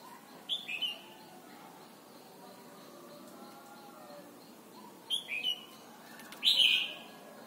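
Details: Thai red-whiskered bulbul song for teaching young birds to sing: a short whistled phrase, a long pause of about four seconds, then two more phrases, the last loud, rich and bubbly.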